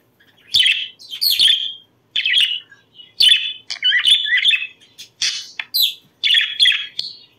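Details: Budgerigars warbling to encourage breeding, a series of bright chirps and buzzy chattering phrases, some with quick falling sweeps, arriving in irregular bursts over several seconds.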